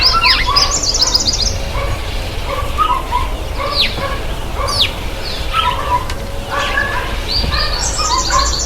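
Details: White-bellied sunbird taking a bath gives thin, high chips and quick metallic trills in busy bursts, with other small birds chirping and a steady low rumble underneath.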